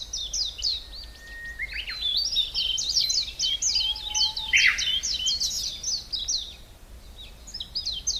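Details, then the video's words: Birds in Hallerbos, a mixed deciduous forest in Halle and Beersel south of Brussels, Belgium: several birds sing in a dense chorus of quick, high twittering and chirping phrases with a few thin whistled notes over a soft hiss. "Beautiful Birds sounds"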